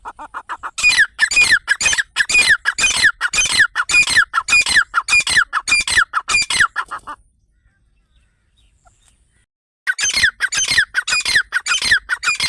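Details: Grey francolin (teetar), offered as a hunting sound: loud, harsh, squawking notes repeated in a rapid steady series, each with a falling edge. They break off into a silent pause of about three seconds, then resume.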